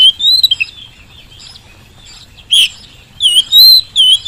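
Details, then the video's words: Vigorous Oriental magpie-robin singing as a lure to make lazy birds answer quickly: a few fluttering whistles, a pause, then a loud burst of clear, rising and falling whistled phrases. "kacer gacor pancingan kacer malas bunyi"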